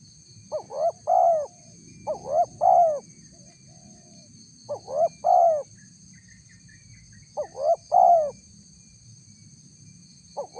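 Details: Repeated spotted dove luring call meant to attract wild doves. Three-note phrases, two short hoots then a long coo, recur about every two and a half seconds. A constant thin high-pitched hum sits behind.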